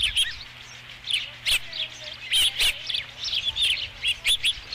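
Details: Osprey calling at a ranch nest on 5 July 2016, around the arrival of the first fish: high, thin whistled chirps in short bursts, repeated irregularly over a quiet background with a faint low hum.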